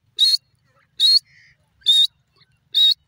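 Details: Grey francolin, locally called dasi teetar, calling: four loud, shrill, whistled-squeal notes repeated steadily about every 0.85 seconds, with faint softer notes between them in an otherwise quiet setting.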